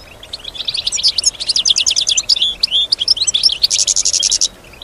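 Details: Caged female European goldfinch singing in response to surrounding sounds: a dense burst of high tinkling chirps and twitters, ending in a rapid, even, buzzy trill before falling silent.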